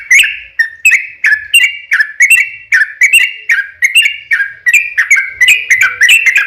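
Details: Energetic long song of a yellow-vented bulbul meant as a lure so others answer; crisp whistled notes with sharp onsets and slurred tails, repeated rapidly and evenly.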